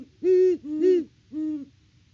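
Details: Great horned owl hooting at the nest on a Kansas farm, Peabody, live cam footage from 17 October 2023: three deep, rounded hoots, the first two close together and the third after a brief gap.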